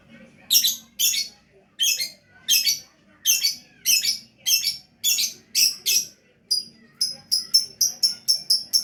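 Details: Lovebird in full gacor song: loud, harsh, high chirps repeated steadily about twice a second, speeding into a quicker run of thinner, clearer notes at the end.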